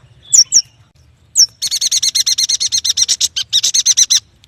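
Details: Singing yuhina: a few bright upward-slurred whistles, then a sustained rapid chatter of around twenty harsh, closely repeated notes lasting over two seconds, with faint low background noise.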